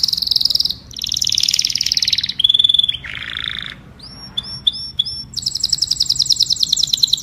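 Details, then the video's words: Canary singing to call the flock: a rapid succession of tours, with buzzy high trills, a clear whistled phrase, a lower rolling rattle, a set of crisp repeated whistles, then a fast shimmering high trill. "Tiếng chim Hoàng Yến hót gọi đàn"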